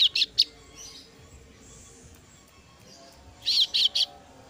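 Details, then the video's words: Female kasu-kasu nestling calling its parent, three sharp high chirps, a silence of about three seconds, then another quick set of three chirps. "suara anakan burung kasu kasu betina memangil induk nya"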